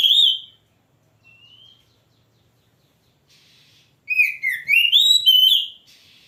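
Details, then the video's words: Oriental magpie-robin, kacer, with a loud opening whistle, a quiet pause, then an energetic burst of fast, varied slurred whistles rising and falling. "Kicau burung kacer Mantap keren langsung gacor"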